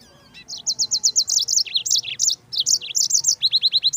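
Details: Yellow-fronted canary song used for training birds: rapid series of high, bright trilled phrases, notes repeated in quick runs, some dropping downward, ending in a fast string of descending slurred notes; faint low hum beneath.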